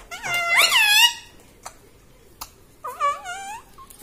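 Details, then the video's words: Talking pet parrot that speaks like a human, indoors: a loud, nasal, rising and falling voice-like phrase, a pause with faint clicks, then a second shorter wavering phrase. "insaan ki tarah bolta tota - talking parrot"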